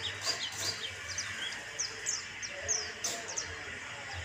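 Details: White-eye song used as a lure to get birds singing: scattered sharp, high tweets and quick down-slurred chirps spaced irregularly, several each second, over a steady hum and faint low rumble.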